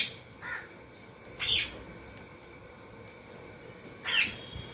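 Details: Indian ringneck parakeet eating food: a soft short chirp, then two loud shrill screeches roughly two and a half seconds apart, over a quiet steady hum.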